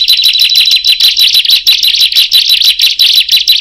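A Bar-winged prinia gives a loud, unbroken stream of high, sharp chirps, several each second, with other birds answering and joining in.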